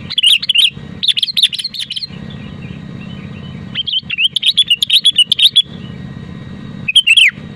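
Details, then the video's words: Lively sooty-headed bulbul song meant to get other bulbuls singing: long bursts of rapid, jumbled whistles and chirps, a pause, then another busy stretch and a falling closing phrase, with a continuous low hum. "BURUNG KUTILANG GACOR DENGAN SUARA ASLI AMPUH UNTUK PANTINGAN KUTILANG AGAR BUNYI"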